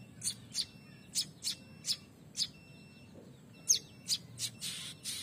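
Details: Two young prinias starting to become active, uttering thin, high, clipped chirps repeated roughly every third of a second in loose runs, with brief pauses between bursts.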